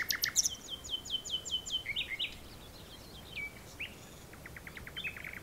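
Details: Common nightingale singing in the dunes of Texel: rich, varied phrases, a fast run of repeated high piping notes, then sharp chirps and a closing dry rattling trill.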